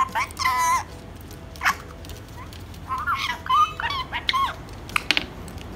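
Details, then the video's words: Pet parrot speaking an Urdu phrase that calls a man by name and asks him to come, in a pained-sounding voice: short nasal, strained syllables with a squeaky rising pitch, over a noisy indoor background. "My mithu saying Naveed Bhai A jawo na in painful voice"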